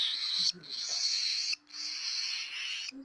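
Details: Begging hand-reared cockatiel chick, an albino baby whose hungry cry is compared to a dinosaur, repeating three long, rough, hissing screeches, each about a second and a half, separated by brief silences.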